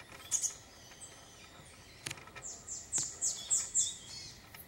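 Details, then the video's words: Iriomote tit recorded on Ishigaki Island, Okinawa Prefecture, Japan, in December 2023: thin, very high chirps, a pair early on, then a quick run of five or six sharp, evenly spaced notes near the end, with a few faint clicks between. "オリイヤマガラ Iriomote Tit"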